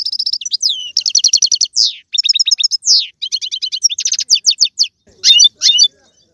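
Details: European goldfinch singing, used to encourage a pet goldfinch to sing: continuous fast twittering with liquid tinkling notes, short buzzy trills and sweeping slurs, broken by brief gaps.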